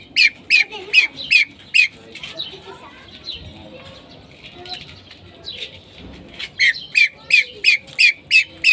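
A hen common pheasant gives sharp, squeaky notes about three a second, in two quick bursts separated by a quieter pause with faint rustling.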